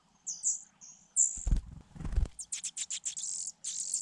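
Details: Four Fujian niltava nestlings in a grass-hidden nest, begging at feeding time: high, thin hissing calls, a low fluttering rustle partway through, then a rapid run of short high begging notes.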